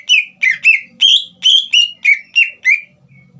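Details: Caged green leafbird singing loudly to trigger song in a young speckled bird: nine rapid whistled notes, some rising, some falling, delivered in an uneven, lively rhythm.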